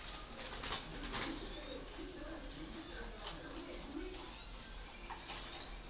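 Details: A captive spotted dove at a breeding garden in Ba Vì, Hanoi, Vietnam, gives soft, low, rather muffled cooing phrases under steady high-pitched chirping and twittering from other small birds.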